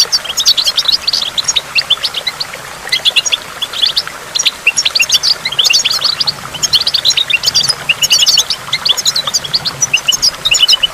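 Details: Goldfinch song recorded at a waterfall among falling water drops. Rapid high chattering twitters and short trills run almost without a break, with a quiet hiss beneath.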